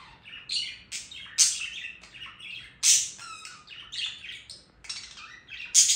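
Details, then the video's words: Singing budgerigar delivering a rambling chatter of raspy squawks, scratchy clicks and short whistled squeaks. Loud harsh bursts recur every second or two between softer twittering. "Periquito Australiano Cantando"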